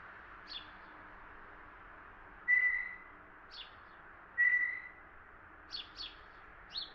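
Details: Blue jay in Ontario, Canada, giving a much softer, less familiar call: two clear, level whistled notes about two seconds apart, mixed with brief faint chirps scattered through the passage over low steady hiss.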